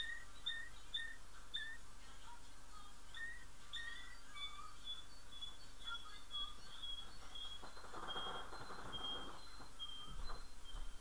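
A male canary sings short whistled notes in quick runs, then thin, high, steady trilled phrases, over a low room hum and a brief rustling burst.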